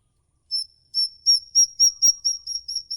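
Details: Songbird giving a long ngikik call, a lure played to prompt caged birds to sing. Thin high whistled notes at one steady pitch repeat about every quarter second after a short silent start. The background is quiet.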